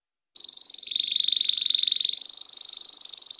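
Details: Canary long song for training young and adult birds: a continuous high rolling trill, steady and fast, dipping slightly in pitch midway and then rising back for the rest of the phrase.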